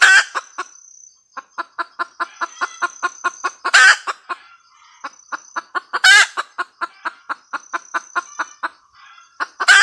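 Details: Cackling red junglefowl hen: bursts of rapid clucks, each introduced by a loud, rasping squawk, three such squawks with brief quiet gaps between bouts, plus a faint high steady tone.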